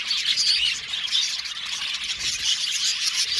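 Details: Many budgies chirping together in a steady, dense wash of high twittering, with short whistled notes and scratchy chatter overlapping continuously and no pauses.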